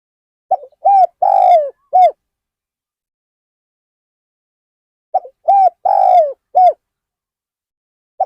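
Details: Decoy spotted dove luring wild birds, Ban Nong Hin, repeating its phrase about every five seconds: a short note, a coo, a long falling coo and an end coo, twice, with a third beginning.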